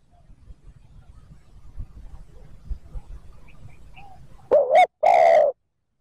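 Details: Spotted dove giving a 'thúc gù' coo meant to stir wild doves and set decoy birds cooing: after several seconds of faint low rumbling, two loud, harsh, mid-pitched coo notes come back to back near the end.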